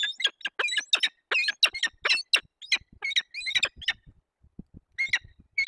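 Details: Peregrine falcons at a nest in the Barycz Valley, Poland, on 15 April 2021, as the female takes over from the male at a nest changeover. Loud, harsh, grating calls rattle out in rapid bursts, pause briefly, then resume.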